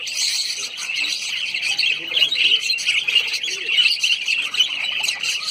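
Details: Several lovebirds at Sayaji Baug, a garden in Vadodara, Gujarat, India, keep up an unbroken jumble of shrill, piercing chirps and harsh squawks, steady in loudness throughout.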